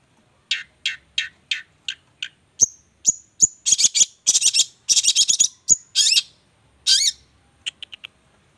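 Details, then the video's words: Champion songbird singing a run of evenly spaced high chirps, then thin pure whistles mixed with dense buzzy, rasping phrases and a few closing clipped notes. "kicau gacor langganan juara"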